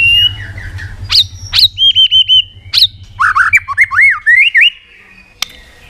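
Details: White-rumped shama singing hard after provocation, tail flicking on its perch: loud looping whistles, a quick row of four identical arched notes, then wavering rising-and-falling whistled phrases, with a faint low hum beneath.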